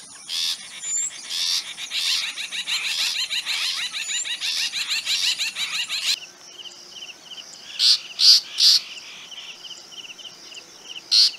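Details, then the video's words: Long-tailed shrike, also known as rufous-backed shrike, giving harsh, scolding, rasping notes in rapid dense bursts for about six seconds. A few louder isolated harsh notes follow over a steady high insect trill. "call of long tailed shrike | call of rufous-backed shrike"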